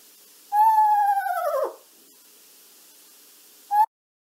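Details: An Eastern Screech-Owl, a cavity nester resident in urban Pinellas County, Florida, gives a quavering, horse-like whinny that slides downward over about a second, then a brief clipped start of another call.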